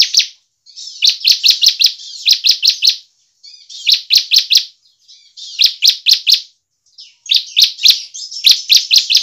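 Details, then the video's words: A bar-winged prinia in full song, used to prompt other prinias to sing, gives quick bursts of four or five sharp, high chirps, each about a second long, separated by short pauses. "CIBLEK GACOR"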